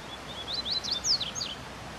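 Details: Wild yellow-bellied seedeater singing in nature: a quick run of sharp, high, slurred whistled notes, some rising and some falling, delivered in a busy two-second burst over faint steady background hiss.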